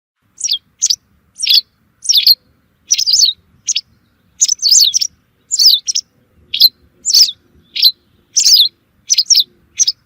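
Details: White wagtail calls used as a lure for bird trapping: sharp, high, downslurred chips given singly or in quick doubled bursts, around sixteen notes over ten seconds with short silent gaps and no other sounds.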